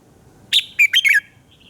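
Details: Single lively phrase from a red-whiskered bulbul singing in the morning: a high opening note, then three rapid whistled notes sliding downward, ending in a faint trailing note.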